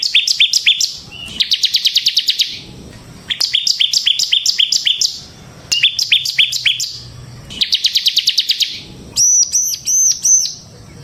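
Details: Bar-winged prinia singing, used as a lure and master song for training prinias: bursts of rapid sharp repeated chips alternating with pauses, ending with a few ringing metallic notes.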